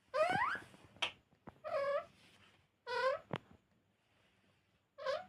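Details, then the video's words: Pet talking parrot producing repeated nasal, wavering calls like a cat's meow, four bursts in about five seconds with sharp clicks between them, recorded in a quiet room. "Talking parrot"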